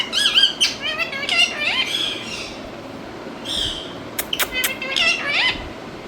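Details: An Indian rose-ringed parakeet (ringneck, Psittacula krameri) gives a rapid run of harsh, nasal squawks and rising chattering notes, with a few sharp clicks or flaps in between.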